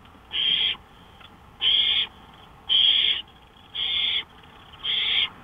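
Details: Owl at 1:53 AM on a porch, May 5, 2013, repeating a rasping hiss-screech five times, about once every 1.1 seconds, each burst roughly 0.4 seconds, steady and even.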